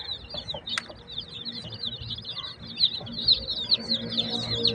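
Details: Colourful chicks in a village setting give a steady chorus of shrill, rapid peeps, many overlapping high notes repeated several times a second, with one sharp click near the start.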